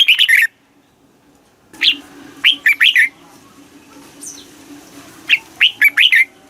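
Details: Red-whiskered bulbul in the southern Thai master song style for stimulating caged birds: a short burst, a pause, then sharp separate whistled notes and a rapid closing flourish, over a soft low hum.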